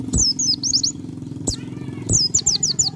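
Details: Pleci dakun white-eye in full 'ngalas' song, close to 'nembak': two bursts of sharp, high, falling chirps separated by a short pause, with sharp clicks and low droning background noise.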